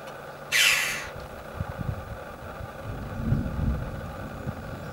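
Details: One of two choughs perched on a castle tower at Caracuel gives one loud, harsh, rasping squawk near the start, followed by low rumbling background noise.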